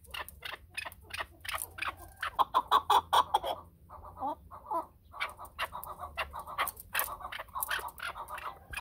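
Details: Chukar calling with a burst of evenly spaced, loud clucking notes that quicken and then break off, followed by rougher, more irregular chuck phrases.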